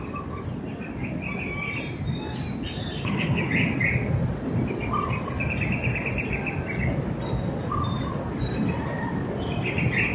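Blue-throated bee-eaters give short, rolling chirps scattered through the recording, several birds calling over a steady high insect hiss and low background rumble.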